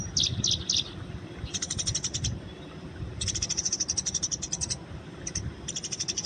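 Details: Eurasian tree sparrow fighting in the wild: a few loud opening chirps, then fast, high chattering runs of about a second each, repeated around four times a second.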